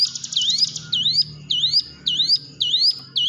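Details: A lure recording of Hill prinia song for coaxing quiet caged birds into singing. Clear swooping whistles, each falling then climbing, repeat about every half second, with a faint low hum behind.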